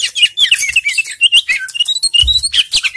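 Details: An Oriental magpie-robin, in a lure recording meant to prompt birds reluctant to sing, sings a rich, fast, unbroken run of varied whistles and sweet chirps, bright and high-pitched; a couple of soft low thumps are heard near the end.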